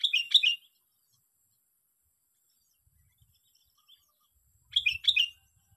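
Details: Sooty-headed bulbul, a bird caught by grip trapping and used as a lure on the sixth day of trapping, giving two short bubbly, warbled phrases about four seconds apart, notes rising and falling quickly, with a faint low rumble between them.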